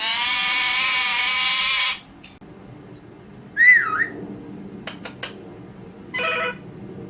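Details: Pet Alexandrine parakeet doing sound effects indoors: a steady two-second whistle-like tone, then a looping wavering whistle, quick sharp clicks and a short harsh squawk.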